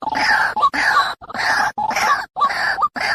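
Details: White-breasted waterhen chick calling its mother: harsh, rasping bursts about half a second long, repeated steadily with short gaps, with a few brief rising squeaks between them.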